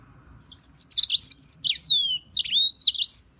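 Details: Short European serin phrase: a fast, crackly jingle of high notes ending in clear, falling whistled slurs.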